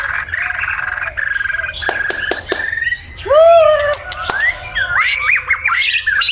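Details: Morning song of a white-rumped shama. A steady high tone opens, then loud downward-curving whistles and fluted slurs follow, ending in a fast tumbling burst of twisting notes.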